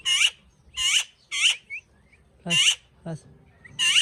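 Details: Talking parrot kept as a pet, giving short harsh squawky bursts, each about a quarter second, repeated roughly every half to one second with brief fainter notes between, in a quiet indoor setting.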